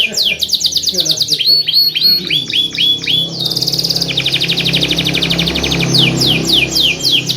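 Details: Canary singing to tutor and lure other canaries: quick sweeping whistles, a repeated two-part note, then a long buzzing trill and more rapid rising notes over low background hum.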